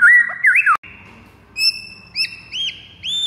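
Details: Fighter song of a white-rumped shama, played to provoke other birds into rage: a brief warbled phrase, a click and pause, then four arched whistles spaced about half a second apart.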